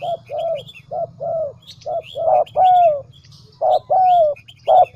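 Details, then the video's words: Lure dove recording for attracting doves: repeated soft cooing phrases of short notes and longer sliding coos, several in succession, over a low rumbling background and scattered high chirps from other birds. "Tiếng cu mồi"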